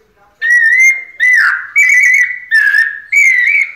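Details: White-necked thrush, a caged bird, delivering pianado song. Five strong, ringing whistled phrases follow one another almost without pause, mostly level notes with slight upward slurs at the ends.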